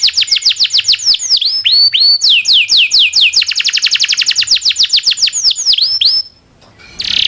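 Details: Domestic canary in full song, used as master song for training canaries: fast series of downward-sweeping whistled notes, shifting into a steady rapid roll, with a brief break near the end before a harsh burst.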